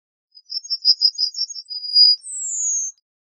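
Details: Yellowhammer song phrase: a rattling series of short high notes, a brief steady tone, then a drawn-out high whistle sliding slowly downward before silence.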